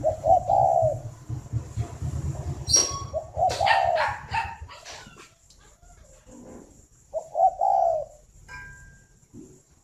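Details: Farm-kept spotted dove near Hanoi, Vietnam, in the morning: a soft coo phrase at the start, another amid a burst of sharp clattering and knocking, and a third after a pause, over low background hum.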